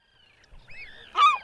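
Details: Herring Gull long call: a thin, drawn-out squeal sliding downward as the bird throws its head, then a loud, harsh series of yelping notes, the most distinctive part of the call.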